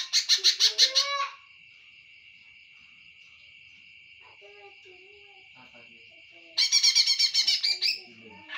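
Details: Two quick bursts of shrill, repeated chattering notes from a greater green leafbird, separated by a five-second gap filled with a steady high whine and faint soft chirps.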